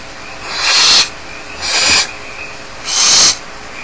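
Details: At Starr Ranch, unattended barn owl nestlings give three long, noisy, snore-like hisses in quick succession, each lasting about half a second, as they beg in the nest.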